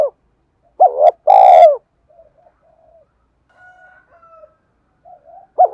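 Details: Spotted dove cooing, a recording used to stir a decoy bird into cooing: a short pair of low hollow coos, then a longer rolling coo, faint soft notes, and another coo at the end.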